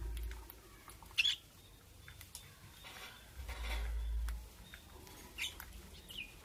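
Lovebird giving a few sharp, high chirps and squawks, scattered and irregular, over low background rumble and faint clicks.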